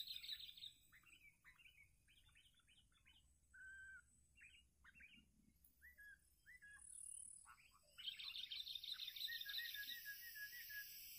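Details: Sooty-headed bulbul used as a lure bird in a bird-fighting contest gives short, bubbly whistled phrases in quick succession, with a denser burst of chattering notes near the end.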